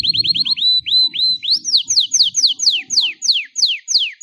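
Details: Belgian canary in continuous bell-style song for warming up and training young canaries: rapid high falling notes speeding up into a string of louder, spaced downward sweeps, with a faint low rumble beneath the first part.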